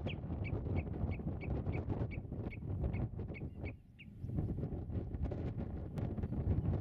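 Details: Common redshank at its nest in meadowland, filmed from 8 metres, gives about a dozen sharp, high, down-slurred piping notes, roughly three per second, over steady low wind rumble.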